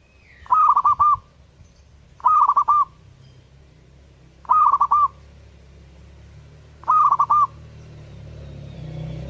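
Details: Energetic song of a zebra dove, its short clipped cooing phrase of several rapid notes given four times at uneven gaps, with a low steady hum building toward the end.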